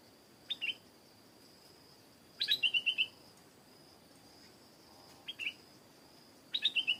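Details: Stripe-throated bulbul giving lively bursts of rapid chirping notes, some phrases short pairs, others strings of five or six quick tweets, with a continuous high insect buzz behind.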